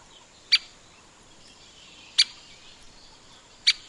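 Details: Grey-capped pygmy woodpecker calling with three short, sharp, high ticks spaced one and a half to two seconds apart, with a quiet natural background.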